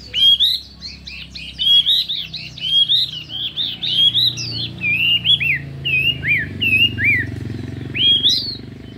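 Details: Contest singing from a Chinese hwamei: a rapid string of bright, repeated hooked whistles, then slower downslurred and rising notes with short pauses, over a faint low rumble.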